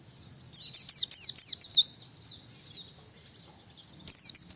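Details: White-eye lure and master song: a dense, high twittering chatter of quick slurred notes, rising in loudness, easing off, then returning in a final burst.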